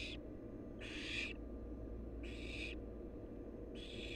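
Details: Four raspy, breathy screeches from a wild barn owl nestling at the nest, evenly repeated about every one and a half seconds, each burst broad and hissing, with a low steady hum beneath.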